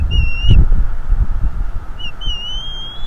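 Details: Northeast Florida bald eagle, the father at a livestreamed nest, confronting an intruder: a brief high whistle with a thump, then a quick pip leading into a long, gradually rising whistle, over gusty low noise.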